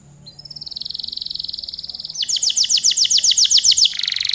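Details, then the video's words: Canary singing a long, lively song: a fast buzzy trill held near one pitch, then a run of rapid sweeping down-slurred notes, about four a second, ending on another dense trill; faint low hum beneath. "Suara burung kenari gacor kicau panjang"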